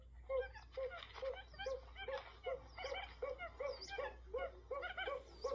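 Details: Buttonquail decoy recording used for trapping: a run of short, throaty, clucking notes with bright overtones, about two per second, overlapping with quick chattering bursts and a steady low hum.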